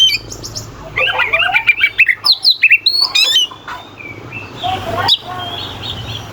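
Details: Singing oriental magpie-robin, used to goad rivals into answering: a scratchy warbled phrase, then a quick series of sharp rising and falling whistles, fading into softer chatter with a constant low hum.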